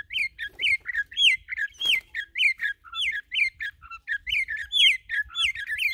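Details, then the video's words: Campo troupial, a celebrated Brazilian singer, pours out a fast, steady series of loud, clear whistles, each sliding downward, about two to three notes per second. "CORRUPIÃO MÁQUINA ESSE A PEGADA É SEGURA"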